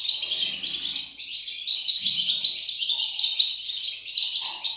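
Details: European goldfinch chicks squeaking and chirping rapidly, a dense high-pitched chatter with short dips in volume between surges of overlapping calls.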